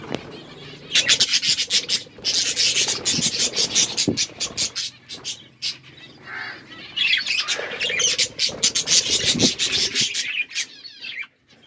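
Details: Aviary budgerigars in a forest-style enclosure chatter loudly, rapid scratchy chirps and warbles packed into bursts, with sharp clicking wingbeats or rustles between them and a quiet pause near the end.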